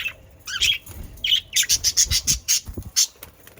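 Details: Australian parakeets in the Den Haag region, Netherlands: a couple of wavering squawks lead into a fast run of clicking, ticking chirps, about six per second, typical budgerigar chatter.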